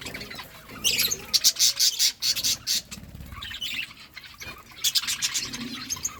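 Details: Budgies chirping while they eat: a fast series of sharp, evenly spaced high clicks or chips, then quieter chatter and another brisk chirping burst.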